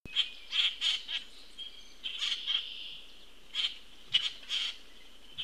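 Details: A juvenile common grackle being fed by an attentive parent on June 22, 2018 at 14:29 gives harsh, raspy begging calls in short bursts of two or three at irregular intervals, over a steady high hiss.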